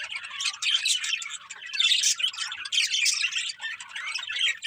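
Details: Short burst of morning birdsong chatter, many small voices chirping rapidly in high, overlapping waves with brief softer dips.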